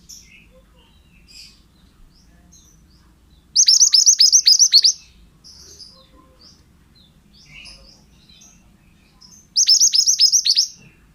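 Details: Two loud bursts of pied bushchat song about six seconds apart, each a rapid string of piercing downward-hooked whistles lasting over a second; faint chirps fill the gaps. Recorded to train other birds.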